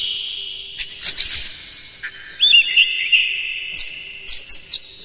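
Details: Oriental magpie-robin singing to provoke other magpie-robins into song, with long sustained whistled notes and a short burst of twisting, warbled phrases amid sharp clicks.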